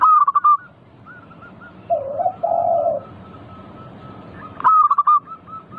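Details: Local zebra dove singing energetically, used as a lure to prompt other doves to answer: two loud bursts of rapid, pulsed cooing notes, backed by fainter repeated coos from distant doves and a lower, mellow cooing phrase.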